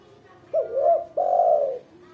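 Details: Lure call of a female spotted dove for training beginners' birds: a wavering rising double coo followed by a long, full, level coo, with faint hum in the background.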